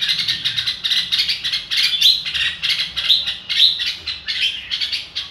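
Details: Red-whiskered bulbul singing in the style called "ro kích bổi": dense runs of bright, chattering notes, short phrases packed closely together with barely a pause, a few sharper whistled accents standing out.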